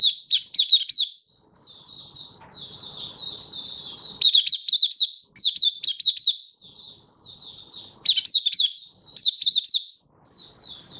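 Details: Malaysian white-eye singing cheerfully, Singapore, 20 March 2023, warm stable sunny weather: sustained high twittering song of rapid slurred and sharply struck notes in several long bursts, faint low murmur behind.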